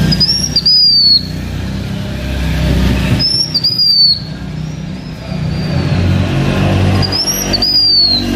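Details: Blue-winged minla singing as a lure bird, kept by an H'Mông owner: three high, clear whistled phrases, each a short rising note then a longer slurred note sliding slightly downward, about every three seconds, over a constant low rumble.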